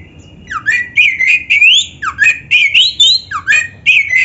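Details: Oriental magpie-robin in vigorous song for tutoring other magpie-robins: a steady chain of short phrases, each a downward-swooping whistle followed by scratchy upward notes, repeated roughly every half second.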